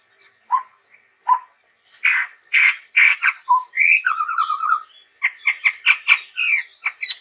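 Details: Chestnut-rumped babbler singing vigorously: soft low notes, then a burst of harsh, buzzy chattering bursts and a rapid descending trill, followed by quick clipped repeated notes.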